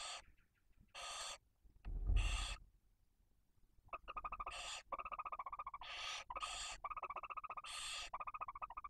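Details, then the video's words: In Cabañeros National Park, Spain, barn owls at the nest during food delivery to the brooding female and tiny chicks: harsh hisses, a low thump, then a rapid stuttering chitter interleaved with more hisses. "¡CEBA PRECIOSA! y explícita 😬 - Lechuza común -"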